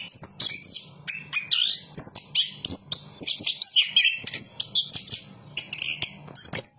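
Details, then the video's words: Chestnut-capped thrush (anis kembang), a songbird of Southeast Asian forests, singing a rapid, varied run of high whistled and chattering notes, phrases sliding between high and mid pitches almost without pause, over a steady low hum. "Burung Anis kembang berkicau"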